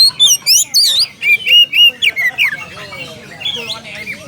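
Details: Oriental magpie-robin challenging a rival with quick loud whistled chirps and wavering slurs, fading into quieter twittering toward the end.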